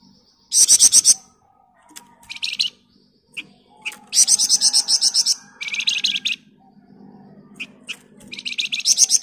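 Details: Flamboyan bird singing in a dense, continuous gacor style, used as master song for training other birds: loud high buzzy bursts of rapid trills, some about a second long, separated by short gaps and softer chips, with faint low background hum.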